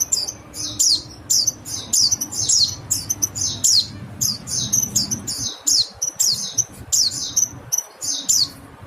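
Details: Fast, high, thin falling calls of a mountain white-eye, tutoring material for songbirds, in lively clusters nearly every second, with a low hum in the first half.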